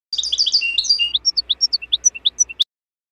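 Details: European goldfinch natural wild-style song, recorded 2024 for the season's young birds: a dense burst of high liquid twitters gives way to separated bright chirps and whistled notes, roughly three per second, ending abruptly.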